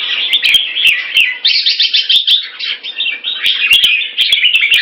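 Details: Caged Red-whiskered bulbul in a rotational sparring display with fast wing-beating, giving a rapid, dense run of bright warbled and chattering phrases, almost without pause, with sharp clicks and knocks scattered through.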